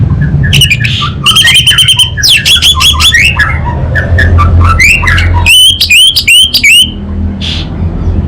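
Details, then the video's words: Orange-headed thrush from Singaraja, Bali, in 'kabel konslet' style: dense runs of rapid, repeated looping whistles, broken by short chattering phrases, with a low hum in the background. "ANIS BATA Berkicau Gacor Membuat Burung Cepat Tanggap dan Respon Kabel Konslet Lanjut Ngeplong"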